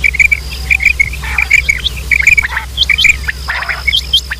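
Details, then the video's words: Quail calls of the kind used as a lure when hunting quail: quick clusters of short, bright chirped notes in rapid bursts, mixed with other high hooked chirps from several birds, over a faint steady high whine and low hum. "sound of quail | new batair ki Awaz صدای بلدرچین"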